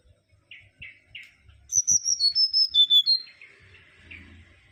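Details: Mangrove whistler singing: three soft, buzzy introductory notes, then a clear run of about eight loud whistled notes stepping down in pitch over roughly a second and a half. A few fainter notes trail off afterwards, over a low background rumble.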